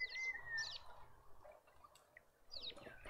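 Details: Dark-capped bulbuls visiting a suburban garden feeder in Pretoria, South Africa: short bright chirps and chattering notes in quick clusters, with a smooth falling whistle near the start and quieter garden background.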